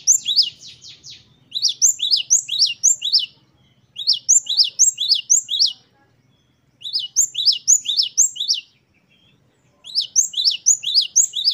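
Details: Great tit singing a 'wucit-wucit' variation from ten song types used to train caged birds. Five bursts of rapid, high, doubled chirping notes, each about a second and a half, with short silences between.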